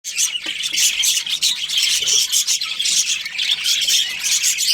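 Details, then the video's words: Breeding pair of budgerigars chattering nonstop: dense, scratchy high chirps and warbles with squawky notes, overlapping with no pause. "Budgies Chirping Sounds"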